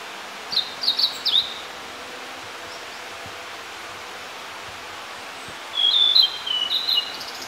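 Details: In early summer in hills of inland Kita-Harima, Hyogo, Japan, a blue-and-white flycatcher sings two short phrases of high, clear whistled notes with quick slurred flourishes, several seconds apart, over faint background hiss.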